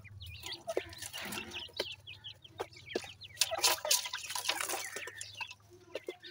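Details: Grey francolin chicks, Irani grey francolin: many overlapping thin, rising cheeping notes, dense in places, broken by sharp taps and rustling over a steady low hum.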